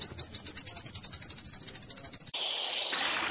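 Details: Tembakan-style Eurasian wren song, used to tutor pleci, opens with a fast run of high, evenly spaced chipping notes lasting two seconds. A brief noisy burst and a faint high buzzy trill follow.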